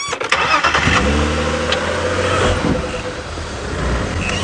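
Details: A car engine starts and then idles steadily, with a low rumble and faint voices; no animal calls heard.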